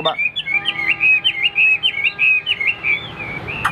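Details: Hwamei in a cage during a competition fighting display delivers a rapid series of rising-and-falling whistled notes, about ten in quick succession, clear and sweet, with a steady faint hum beneath.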